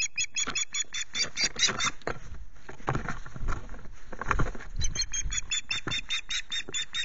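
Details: Osprey at the nest at RSPB Loch Garten, Scotland, on a 19 April morning between 07:00 and 10:00, reacting to repeated intrusions by another ringed osprey; nest camera recording. Rapid series of high, sharp, repeated chirping whistles, pausing briefly midway, over a steady rushing background.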